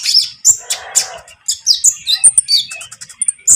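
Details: Konin (iora) with spotted plumage calling to provoke untrained rival birds into song; a fast run of piercing high whistled chirps and sharp notes, with a brief harsh rasp early on.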